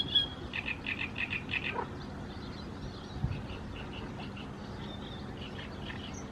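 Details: Great reed warbler (Acrocephalus arundinaceus) in Croatia giving a quick run of about eight harsh, grating notes, then softer scattered chirps, over a steady wash of marsh background noise.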